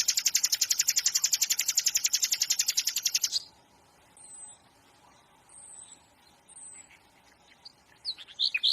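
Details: Flycatcher known as sikatan londo delivering a rapid, buzzy, high-pitched trill for about three seconds, then faint thin whistles and a couple of closing chirps.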